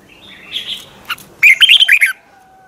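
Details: Morning song of a red-whiskered bulbul in the long twisted double-voice style, recorded in 2020 for training: soft warbles lead into one short, loud phrase of rapid, slurred whistles.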